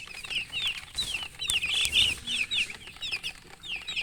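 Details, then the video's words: Chirping chickens: bright, high peeps in rapid clusters, each note a quick rising-then-falling sweep, with brief gaps between bursts and a few soft knocks. "silly chicken chirping sounds with murgi hen color chicken"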